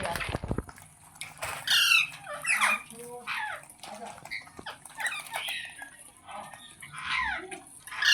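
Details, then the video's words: Ringneck parrot giving a run of harsh, scratchy squawks that slide downward, spaced about half a second to a second apart, over faint human talk and a soft background hiss. "Ringneck Parrot Sounds Videos"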